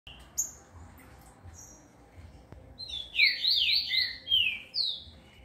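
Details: A captive Green-winged Saltator in training at a breeding facility sings a loud burst of rich, slurred whistled phrases, preceded by a few thin high chirps; recorded as evening darkness falls.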